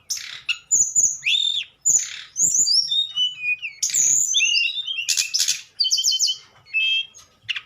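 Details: Nyuling song of a tledekan: a long run of bright whistles and sweeping slurred notes with buzzy accents, delivered in dense phrases separated by brief gaps.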